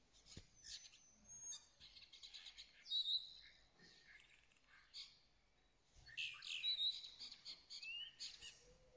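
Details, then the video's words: Song of a Moroccan starling, a dense run of high buzzy chatter, clicks and short sharp whistles, pausing briefly around the middle before another loud burst of rasping, squeaky phrases. "طائر الزرزور المغربي"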